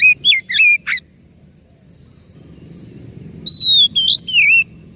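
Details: Oriental magpie-robin lure song meant to prompt a stressed or non-singing bird: bursts of sharp warbled whistles, a quiet gap, then a long steady whistle followed by swooping notes.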